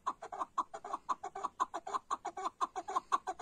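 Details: Chukar partridge giving a fast, steady run of loud, harsh chuk notes, roughly two per second, with nothing else audible.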